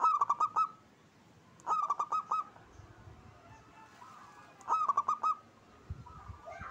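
Zebra dove singing three phrases of quick, stuttering, mellow coos a couple of seconds apart, each a rapid run of soft rolling notes.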